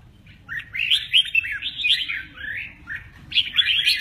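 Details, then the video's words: Red-whiskered bulbul in 'mơ ché nẹt' style, wings in play, pours out a long rolling phrase of looping whistled notes, briefly drops off near three seconds, then starts a fresh bright burst. "Chào mào mơ ché nẹt, chơi cánh rất hay"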